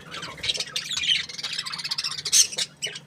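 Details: A cheerful budgie gives a quick, busy stream of high twittering chirps and small squawks, uneven in rhythm over a few seconds.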